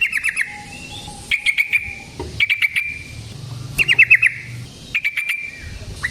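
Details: Yellow-vented bulbul in lively 'gacor ropel' style, used as a lure to trap and provoke other bulbuls: short bubbly chattering bursts of quick notes, repeated about every second and a half, with sharp clicks between phrases.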